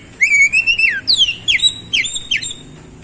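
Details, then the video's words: Oriental magpie-robin song aimed at a bird that has gone quiet: a long level whistle falling at its end, followed by a quick series of downward-slurred whistled notes. "KICAUAN KEMBALIKAN KACER MACET BUNYI CEPAT GACOR"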